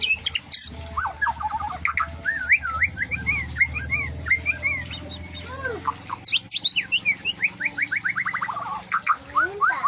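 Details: White-rumped shama singing a varied song of looping whistled phrases, wavering notes and quick descending chirp series, steady and busy over a low background hum.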